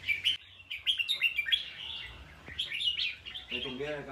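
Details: Red-whiskered bulbul song in quick successive phrases of bright, bubbling whistles and chirps, nearly continuous, with a human voice speaking briefly near the end.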